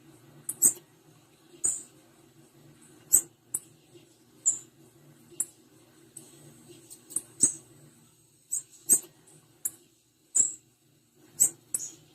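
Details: Short, high, piercing chips from a female blue-black grassquit, repeated irregularly over twelve seconds, some single and some in quick pairs, over a quiet low hum and occasional clicks.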